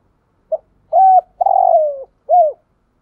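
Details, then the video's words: A decoy spotted dove gives a thúc gù phrase in near silence: a brief introductory note, a steady coo, a long rolling coo drifting downward, and a rounded final coo. "chim cu mồi thúc gù"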